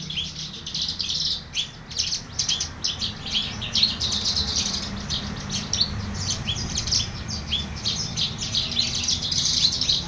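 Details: Horsfield's bush lark singing vigorously: a dense, continuous run of high, sharp chirps and twittering notes in quick varied bursts, over a steady low background rumble.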